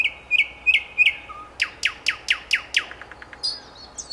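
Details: Four steady, evenly spaced whistled notes, then a loud series of sharply falling notes repeated about six times, trailing into faint clicks. Singer identified as a nightingale.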